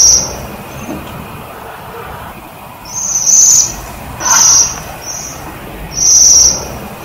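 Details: High, sibilant, ringing trills from a waxwing on privet, loud bursts about a second apart near the end and weaker short ones earlier, against a steady low rumble.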